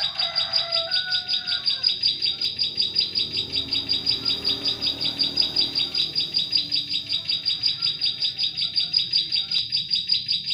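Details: Bar-winged prinia song played as a lure for trapping prinias in forest: a steady run of high, sharp chirps repeated about two and a half times per second, with lower whistled notes from another bird near the start.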